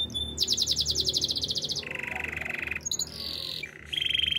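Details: Canary singing loud, rapid trills: a fast high rolling trill, then a lower steady rattle, a brief pause, and further level trills at shifting pitches.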